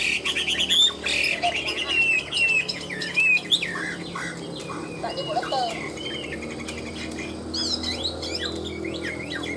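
A Chinese hwamei pours out a fast, varied run of loud, bright whistles and slurred phrases, changing from note to note with barely a pause.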